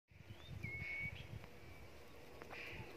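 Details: Common iora song, style called Huýt cô, from Long Thành, Đồng Nai, Vietnam: a long, level, pure whistle held for about half a second, with a fainter whistle after it over low rustling and rumbling background noise.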